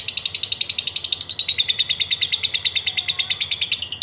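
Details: Ngekek from a lovebird, used as a singing lure: an unbroken, machine-gun-fast series of high, buzzy notes that dips slightly in pitch and carries on for four seconds.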